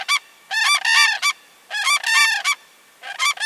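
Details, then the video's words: Autumn common cranes calling loudly: grouped trumpeting, rattling bugles in bursts of two to three notes, separated by brief silences, repeated about every second. "Bird sounds - COMMON CRANE in autumn"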